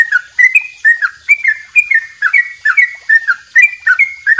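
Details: Long double-rapid 'dobel ropel' song of a trucuk, the yellow-vented bulbul, meant for training songbirds: quick chirped notes, some flat and some falling, repeated roughly twice a second in an unbroken run.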